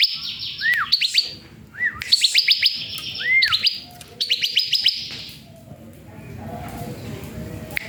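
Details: Song of a bar-winged prinia, played as training material for cage birds: quick rattling runs of high, sharp notes alternating with brief curved whistles, then fading into soft background hiss during the last seconds.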